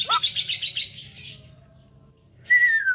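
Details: Tame Javan myna said to be a skilled talker with a full repertoire, calling prolifically: a quick burst of dense, scratchy chirps for over a second, a pause, then a clear, slightly falling whistle.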